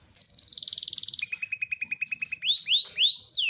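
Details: Canary of the loper kind in training audio: a rapid buzzy trill, then a sustained thin whistle over evenly spaced chips, closing with loud rising-falling swooping whistles.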